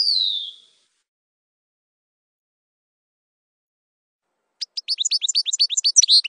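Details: A European goldfinch's campero song: a falling buzzy note, about four seconds of silence, then a fast burst of high, tinkling twittered notes.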